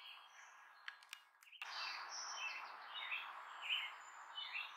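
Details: Wild bald eagle near Redmond, a mother by her nest with two young, calling out to last season's offspring soaring overhead; high thin chirping notes in a loose series, beginning after a brief quiet stretch with faint clicks.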